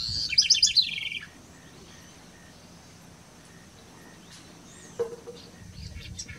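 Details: House wren singing a single fast, bubbly burst of tumbling high notes lasting about a second, followed by near silence with faint background hiss and a short, soft call near the end.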